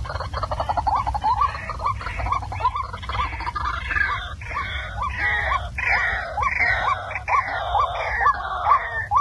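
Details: Waterhen giving harsh, croaking calls about twice a second in a steady, rhythmic series over a low background rumble, recording played at night as a lure to trap waterhens.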